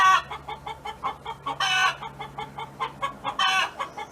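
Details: Farm hen's song from next door: loud, strained harmonic calls at the start, mid-way and near the end, with rapid soft clucking between them and a steady low hum behind.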